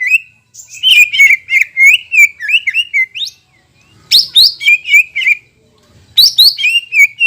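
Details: Energetic greater green leafbird song as therapy for post-moult birds: a long string of liquid, warbled whistles, then two short bursts that start with sharp high notes and run down into quick chirps.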